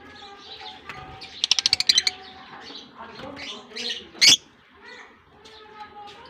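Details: Pet lovebirds released into a colony at the start of the summer season, in Germany, in warm weather; dense overlapping shrill chirps from many birds, a quick rattling burst of clicks, one sharp loud squeak, steady tonal hum underneath.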